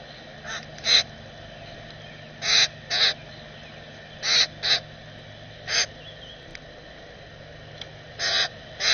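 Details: Common grackle chick being fed by a parent, recorded on a bird-feeder camera, giving short harsh raspy begging squawks in pairs and bursts with pauses between.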